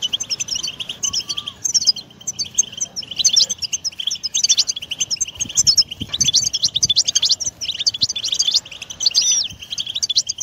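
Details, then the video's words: European goldfinch song for stimulating a pet bird to sing: bursts of rapid liquid twittering and buzzy trills with short pauses between phrases, a few clear upslurred whistles, and soft low rumbling underneath. "من أجمل البتبتات الحصرية 🔰🔰 طائرك سوف يغرد و يصبح كثير الحركة goldfinch batbata"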